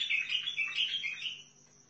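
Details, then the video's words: Mid-phrase, a Basra bulbul of the Sihani kind from Al-Faw runs through a string of quick slurred whistles that taper off into quiet with a light background hum. "طيارات بلبل سيحاني بلابل الفاو بلبل البصره روعه"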